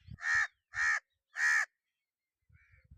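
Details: Crow cawing: three loud harsh rasping caws in quick succession, roughly half a second apart, then a faint short note with low thumping sounds.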